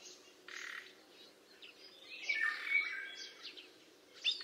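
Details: Black kite recorded 4 September 2022, giving thin, quavering whistled calls, with European golden oriole, common nightingale and house sparrow chirping and singing in the background.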